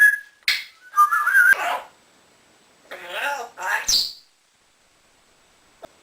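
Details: Pet male African grey parrot, indoors, taken in at about nine months old after neglect and kept two years, talking in human-like phrases, apparently "okey-dokey" and "good morning", with a short sharp whistle-like note near the start.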